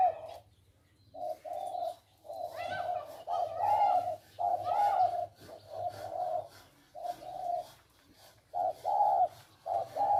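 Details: Captive male spotted dove decoys used for trapping: a run of husky, mid-pitched coos grouped in short phrases about once a second, with a brief higher chirp from another bird and a faint low drone beneath.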